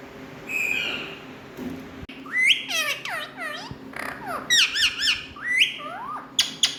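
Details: Indian ringneck parrot indoors, vocalizing in bursts of harsh, harmonic squawks and rising-falling wavering notes, several in quick succession, with quieter gaps between phrases.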